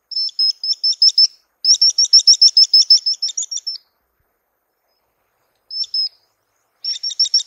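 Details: Swallow-winged puffbird (Chelidoptera tenebrosa): high, clipped chirps that speed into a dense run of repeated notes, fading at the end, followed by a gap, one brief note and another fast series beginning.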